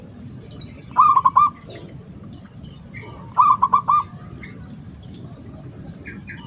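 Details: Local wild zebra dove singing to draw rivals into song: two matching short phrases of quick, low, throbbing coos about two seconds apart. A bed of high insect chirps and trills surrounds them.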